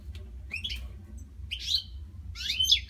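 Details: Captive European goldfinches singing at night give three short, bright twittered bursts, sparse and separated by quiet gaps, over a low droning hum.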